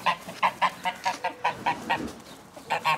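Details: Domestic geese honking with joy as they are let out of their house in the morning: a fast series of short, nasal honks, about four per second, with a brief pause before the last few.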